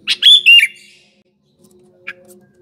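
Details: Sooty-headed bulbul song used to lure birds in morning, afternoon and night: one loud bubbling, slurred phrase, followed by quiet and a single faint note.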